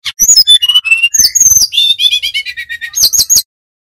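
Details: Bali-origin brown-chested jungle flycatcher singing energetically in a flute-like whistled style: quick high chirps and sliding whistles, a descending chain of short warbled notes, then three sharp high notes before silence.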